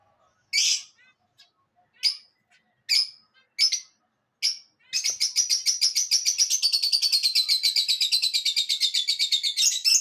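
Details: Pet parrot calling loudly, described as shouting: five separate harsh, high chirps spaced about a second apart, then a fast unbroken run of rapid repeated chirps lasting the final five seconds.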